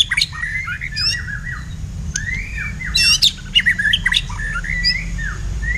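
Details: Caged blacktail white-rumped shama in a song duel with a kapas tembak kept as a tutor bird, giving a run of whistled slurred phrases, some rising and some falling, broken by sharp chips and brief buzzy bursts, over a low hum.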